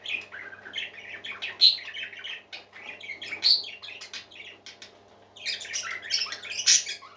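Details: Pet parakeets singing in a room, scattered bright chirps and clicks with shrill squeaks, a lull around five seconds, then a loud burst of chatter to the end.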